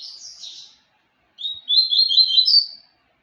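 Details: Papa-capim seedeater singing: a brief twittering burst high in pitch, a pause, then a longer run of fast, slurred chirps that rise at the end. No other sounds.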